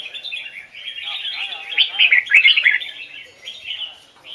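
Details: Hoài Sơn forest red-whiskered bulbul in standard voice with double notes, a continuous run of rich slurred whistles swelling to a loud burst midway, then easing into softer warbling.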